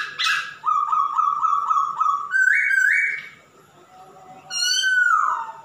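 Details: Male masked laughingthrush in active song: a harsh opening note, then a rapid run of short repeated whistles, two higher whistled phrases, and a final loud downslurred whistle.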